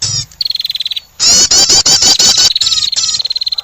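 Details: Prinia lure call for trapping birds, with fast ticking notes, then loud harsh chattering bursts over a thin high whistle, followed by clipped repeated chips and short whistles.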